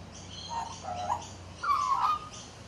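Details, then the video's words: Male magpie, a regular visitor, sitting on a back deck singing and chatting quietly to himself; soft warbled notes in short bursts, then a longer rippling phrase near the end, with faint higher twitters behind. "Magpie Chatting"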